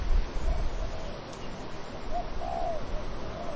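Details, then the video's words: Dove with wind in trees: a quick short note then a fuller, falling coo, with low wind rumble and buffeting throughout. "Dove cooing wind in trees"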